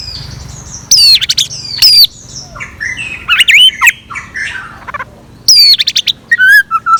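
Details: Decoy scarlet minivet's morning song: harsh, buzzy, very high squeaky notes in short bursts, interspersed with lower chattering phrases and ending in a descending series of whistles.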